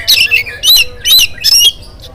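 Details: Four loud, harsh, buzzy bursts from an oriental magpie-robin singing in the morning to prompt other birds, each lasting about a quarter second with brief gaps.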